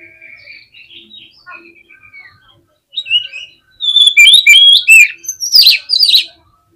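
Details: Caged oriental magpie-robin in fast, agitated song used to provoke other birds: soft thin twittering at first, then loud rapid whistles and rattles run together in a dense burst near the end.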